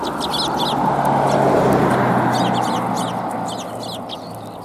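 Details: Sparrows approaching to be fed, Tenmangu shrine, 4 January 2021: rapid series of high chirps early and late, beneath a strong mid-range rushing noise that swells then fades.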